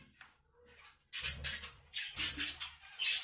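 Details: Budgerigar giving bursts of harsh, scratchy chatter after a quiet opening second, the broadband squawks repeated in quick clusters with short gaps, low hum underneath.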